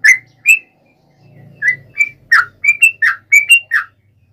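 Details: Provoking fight song of a yellow-vented bulbul: two clear slurred whistles, a brief gap with low hum, then a lively string of short rising and falling chirps about four per second.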